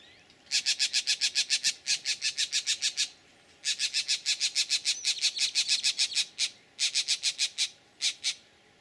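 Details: Green jays at Laguna Atascosa National Wildlife Refuge, Los Fresnos, Texas, sounding the snake alarm at a bullsnake in April 2017: long strings of harsh, evenly repeated rasps, about four per second, broken by short pauses.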